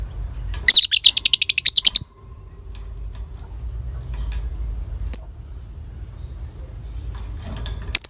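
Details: Lovebird of the 'biola' type, described as beautifully coloured, giving a long ngekek trill meant to raise breeding drive: about a dozen rapid, evenly spaced shrill notes over roughly one second, then quiet with a steady high whine behind.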